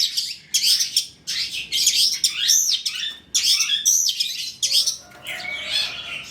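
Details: Lure song of a trotol long-tailed shrike: loud scratchy, buzzy phrases with twisting high notes, coming in bursts of about one second, ending in a softer rambling twitter.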